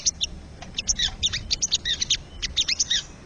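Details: Crested jay in the wild, recorded for training and stimulating caged birds: quick clusters of high, clipped chirps and short downward-sliding whistles, irregularly spaced, over a low background hiss.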